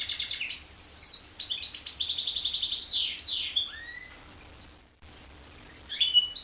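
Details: Goldfinch × canary hybrid delivering a loud, sustained song of high rolled trills and sweeping whistles for about four seconds, ending with a falling whistled note, then a short twitter.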